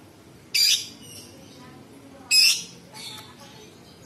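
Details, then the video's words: A captive bulbul sings in full voice, with a repertoire that includes imitations of small birds, large birds and insects: loud, harsh, raspy bursts, each under half a second, roughly every two seconds over a faint hiss. "Cucak cungkok istimewa gacor variasi tembakan istimewa tajam kasar rapat"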